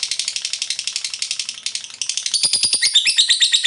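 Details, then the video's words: Lovebird ngekek: fast, grating chatter of high squeaky notes that dips briefly in loudness, then resumes stronger with sharper, clicking pulses toward the end. "LOVEBIRD FULL NGEKEK"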